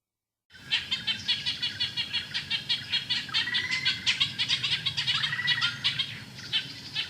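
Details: Ochraceous Bulbul of Thailand: a fast, busy chatter of harsh, buzzy notes, repeated about three times a second for nearly seven seconds, with a few brief rising whistles mixed in.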